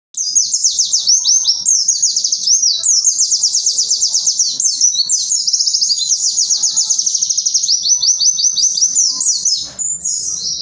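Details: Javan white-eye giving loud song: an unbroken stream of very high, rapid twittering notes running for the full ten seconds, evenly dense, with only faint low background noise.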